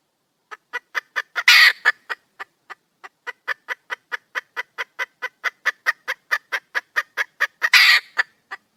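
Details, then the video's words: Red junglefowl female in the wild calling to find a male: brisk repeated clucks, about four per second, bracketed by two loud, harsh squawking bursts. "le bruit d'une poule sauvage,เสียงไก่ป่าร้องหาถู่หาตัวผู้,ສຽງໄກ່ປ່າຮ້ອງຫາຄູ່ຮັກ, poj qaib qus see"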